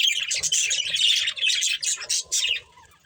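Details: Budgies of a breeding pair chirping in quick, buzzy, pulsing notes for about two and a half seconds before falling quiet.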